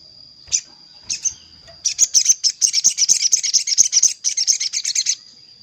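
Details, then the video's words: Lure call of a sogon summoning a rival, meant to draw wild birds to a trap: a few spaced chirps, then a fast rattling run of bright high notes for about three seconds over a constant high-pitched tone. "Suara pikat sogon paling ampuh_ sogon manggil lawan untuk pikat"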